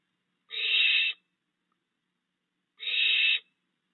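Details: Night recording in a yard of barn owls, a pair with three fledged owlets that the father still feeds, June 2022. Two even, hissing screeches of roughly seven-tenths of a second, about two seconds apart, in quiet surroundings.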